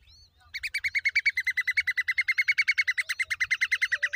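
Common babbler giving a fast, even chatter of rasping mid-pitched notes, about seven or eight a second for several seconds, over a faint low rumble.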